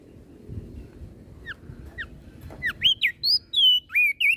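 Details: Crested white-eye from Flores, whose song is said to set other birds off: two soft falling whistles over background rumble, then a rapid sequence of loud, bright slurred notes swelling toward the end.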